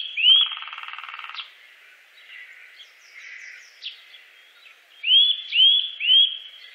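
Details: Eurasian nuthatch recorded in the Wittlich valley, Germany, in 2018: clear rising whistled notes, one at the start followed by a quick run of three at the end, with softer chatter between.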